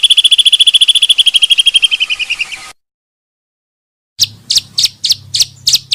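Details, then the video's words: For luring birds, a pancawarna bird gives a fast, even, high trill that slows and fades after about two seconds, then after silence a series of separate sharp chirps over a faint low hum. "suara burung pancawarna sangat ampuh untuk pikat dan isian"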